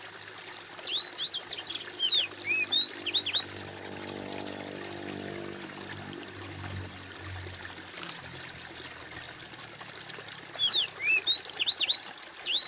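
Oriental magpie-robin in two bursts of clear, varied whistled phrases, sharp rising and falling notes, separated by a quiet stretch of soft flowing water.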